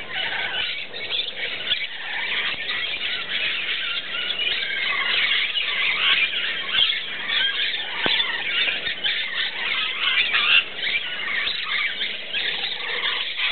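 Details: Rainbow and musk lorikeets drinking and bathing at a pool in the early morning give a dense, continuous chorus of shrill, rasping screeches and chatter.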